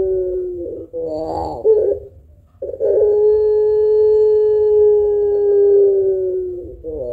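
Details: Vigorously singing pelung Barbary dove, prized for a long voice and thick coo as a lure for other birds; broken rolling notes and a brief silence lead into a smooth, even coo held about four seconds.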